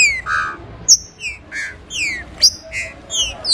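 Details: Whistled song of a green-winged saltator: a run of piercing, high descending slurs and short sharp upward flicks, repeated in uneven bursts about every half second.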